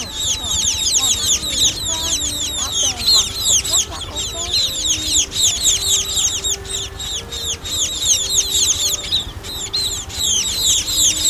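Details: Lure recording of young munias for net trapping: a flock gives dense, high, falling chirps in rapid succession, briefly pausing near the fourth second, over faint low tones.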